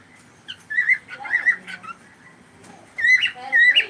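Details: Pet cockatiel whistling and chattering: clear whistled notes mixed with warbled chirps in two bursts separated by a short pause, against a quiet background.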